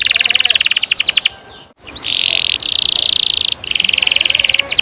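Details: Singing canary used as a lure for young canaries learning to sing: fast high trill, a short gap, then loud buzzy sustained rolls broken by brief pauses.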